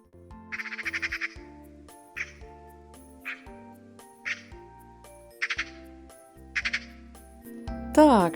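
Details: Eurasian magpie, a wintering bird, giving harsh, rattling chatter in short bursts about once a second, over soft background music; a voice speaks at the end.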